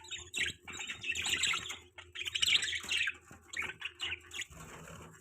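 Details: Pet budgerigars chirping happily indoors: a busy, overlapping chatter of short bright chirps and warbles from several birds, nearly continuous with brief pauses.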